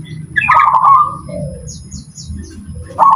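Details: Zebra dove singing while being judged in a contest: a burst of rolling, staccato cooing notes, a softer lower phrase, then another cooing burst at the end. A low murmur of background noise runs throughout.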